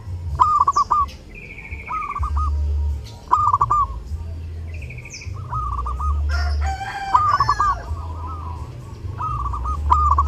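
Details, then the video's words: Zebra dove singing during Lebaran, kept as a tutor recording: short rolling cooing phrases repeated every second or two, a higher thin whistle from another bird twice, and a low rumbling background. "LEBARAN TAMBAH RAME DENGAN SUARA PERKUTUT: Burung perkutut gacor saat lebaran cocok buat masteran"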